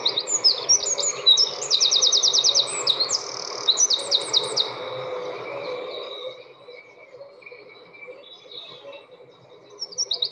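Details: A Eurasian wren, described as Britain's loudest bird, pours out a very fast, powerful song of high rattling trills and sharp notes for about six seconds, then a quieter pause before it starts again.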